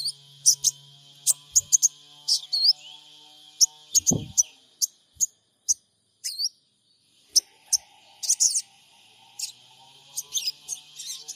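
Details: Recorded in Purbalingga on an Android phone as a lure to excite a sogon trotol: steady series of piercing high chirps, some doubled, with a short curling whistle midway and a brief low thump.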